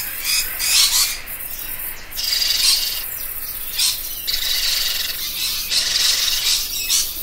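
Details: A parrot gives rough, grating, high-pitched squawks in irregular bursts of varying length, separated by brief quieter gaps.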